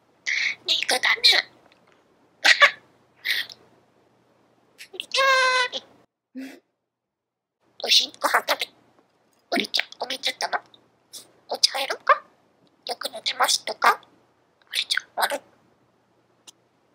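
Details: A 2-year-old male pet budgerigar chatters in quick, scratchy bursts of mimicked speech, with one clearer buzzy, tonal phrase, at the end of summer.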